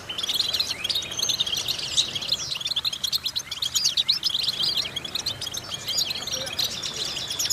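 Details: A European goldfinch sings for song-training purposes. It gives a busy stream of tinkling, slurred notes and quick rising whistles with brief dips in intensity between bursts of twittering.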